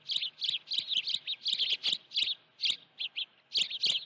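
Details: Afternoon of 16 June 2019 at the Dunrovin Ranch nest, an osprey with a live fish gives a steady stream of high, slightly squealing chirps, often paired, about three per second with brief breaks.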